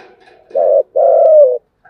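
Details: Spotted dove cooing in the 'thúc gù' style: a single low, hollow pair, a brief clipped note then a longer drawn-out coo that slides slightly downward, in a quiet setting.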